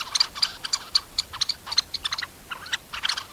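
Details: Red-necked phalarope on Sorbulak lake, Almaty region, Kazakhstan, giving a fast run of sharp, high clicking notes, about four a second, with a brief pause midway and no other clear sounds.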